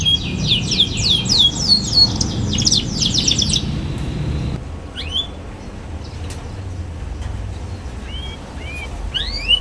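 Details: Young canary twittering as a tutor for learning canaries: a dense burst of rapid high chirps for a few seconds, then quiet with scattered single upswept notes.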